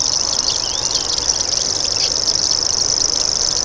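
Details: Loud, sustained high buzzing reel of a common grasshopper warbler (Locustella naevia), insect-like and unbroken, with faint twittering from other birds underneath.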